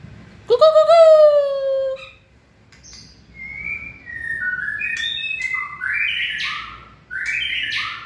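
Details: White-rumped shama in its fiery 'lửa' state, 2020 season, starting with a loud drawn-out slurred whistle, then a sequence of short fluty phrases stepping up and down, each roughly half a second long.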